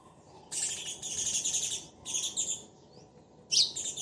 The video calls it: Sparrow Pair Speaking Each Other